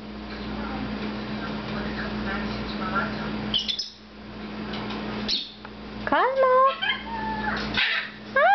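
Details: Pet red-fronted macaw perched on top of a cage indoors, talking away and having fun with its owner: steady room hum for six seconds, then a burst of wavering, harmonic squawks and chatter near the end, with some Dutch speech.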